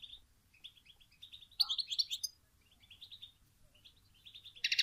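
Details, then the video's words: European goldfinch lure calls for trapping, bitbita style: scattered short, high chirps in quick clusters, with a louder buzzy, twittering burst in the middle and a harsh note at the end. "بتبتة لصيد حسون صوت بيجنن"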